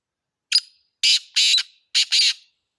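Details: Black francolin (kala teetar) giving a loud, harsh rhythmic phrase: one brief opening note, then two pairs of rasping, grating notes spaced about half a second apart, with no other sounds.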